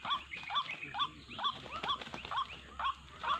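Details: Bird-trapping lure of the white-breasted waterhen: croaking, rising 'wak' notes repeated briskly about twice per second, with a low hum and a high electronic tone in the background.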